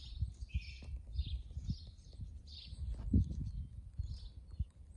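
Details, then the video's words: Kept quails calling in a relaxed setting without human noises: soft, breathy chirps repeated in short bursts, set over a steady low rustling and scratching background. "Wachteln ohne Menschliche Geräusche"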